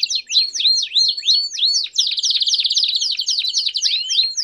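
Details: Canary campainha song with chirps for teaching fledgling canaries: series of looping up-and-down whistled chirps, then a rapid pulsing trill, then more swooping chirps.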